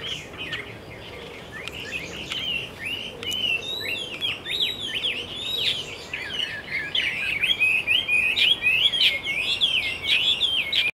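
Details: Taiwan hwamei singing at Caonanpo on 10 October 2013, a long, varied run of rich, slurred whistles and warbles, rising and falling with few pauses, over faint background noise.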